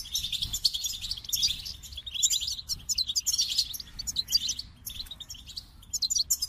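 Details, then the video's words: Lively goldfinch twittering in rapid phrases of high, liquid, slightly buzzy chirps, pausing briefly before resuming. "The Captivating Call of Goldfinches"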